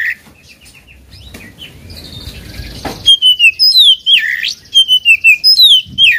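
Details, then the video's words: Oriental magpie-robin, a caged bird provoked to sing against a rival; loud, clear whistled phrases from about three seconds on, slurred notes rising and falling with sharp upswept and dipping whistles, after a quieter opening of soft chirps and rustling. "KACER GACOR BIKIN EMOSI LAWAN,PANCINGAN KACER EMOSI BIAR NGOBRA"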